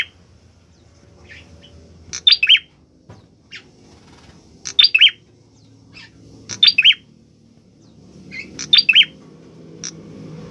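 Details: Orange-headed thrush in full song, giving short bright triplets of high chirps at intervals of about two seconds, separated by occasional single notes, over a low, steady background murmur.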